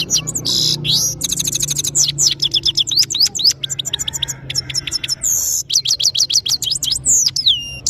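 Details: European goldfinch, called saira, from Parachinar, singing powerfully: fast tinkling trills, rapid clicking bursts and high sliding whistled notes in lively phrases, with a faint low hum behind.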